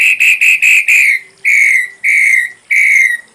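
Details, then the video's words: Tutor recording of ashy drongo song for songbirds: four quick, clear whistled notes in a row, then three longer whistles that each slide slightly downward, separated by short pauses. "Masteran srigunting abu abu isian lengkap"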